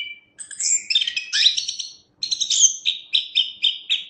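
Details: Chestnut-capped thrush singing strongly for cage-bird training: a short whistle, then dense rich chattering phrases, a brief silence, and a run of evenly repeated notes about every quarter second.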